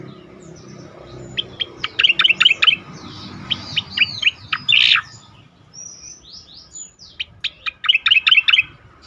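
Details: Tuneful striated grassbird song, played to train other songbirds: repeated bursts of rapid sharp high chirps mixed with falling slurred whistles, separated by brief pauses and softer thin notes, over a faint hum.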